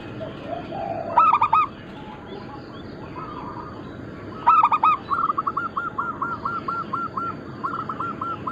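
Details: Local zebra dove in full song: a loud burst of mid-pitched staccato coos, then a second burst running into a long, even string of rapid, bubbling coo notes, over a steady low background hum.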